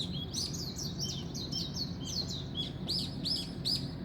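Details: Dawn birdsong: rapid high chirping and twittering throughout, ending with three clear, separate sweeping notes about every half second, over a constant low droning hum.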